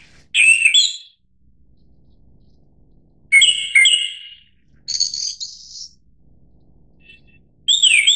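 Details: Japanese thrush (Turdus cardis), song.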